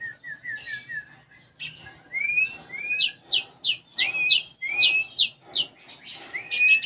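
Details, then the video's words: Konin sunbird in full song, its repertoire filled with house sparrow imitations: a soft chattering run, then a fast series of sharp rising whistles and upward slurred notes, roughly one every half second. "Konin Gacor Isian Gereja"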